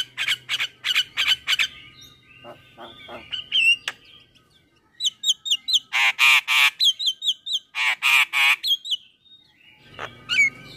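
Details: Male Javan myna in morning song, full of varied phrases: bursts of harsh, buzzy notes in quick series, wavering whistles with twisting upslurs, and a loud grating sequence, separated by short pauses.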